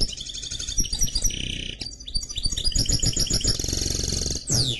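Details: Canary x goldfinch hybrid (mule) singing a fast varied song of buzzy trills, rapid repeated notes and clear whistled phrases, changing motif every second or so, with low rumbling background noise.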